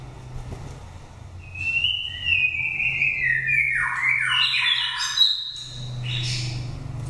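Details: Nest-raised oriental magpie-robin from Daklak, five moults old, wild-style lure voice for stirring birds into form or trapping in forest: long clear whistled phrases, sliding downward then rising, with a steady low hum beneath.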